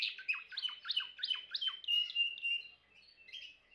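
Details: Timbrado canary song of quick downslurred notes repeated about four times a second, sliding into a steady whistled tone, then a quiet gap and a few soft notes.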